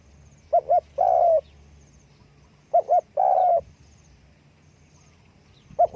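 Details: Calling with wing flapping, a spotted dove repeats its mellow coo-coo-croooo phrase twice, a third beginning at the end; the final note of each phrase is long and even.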